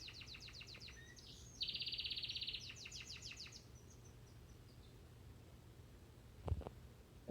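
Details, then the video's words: A Crested Gloster canary sings at home for about three seconds: high, quickly repeated chirping notes and a fast, buzzy rolling trill, followed by a low hum, a few soft clicks and a knock. "Crested gloster canary singing"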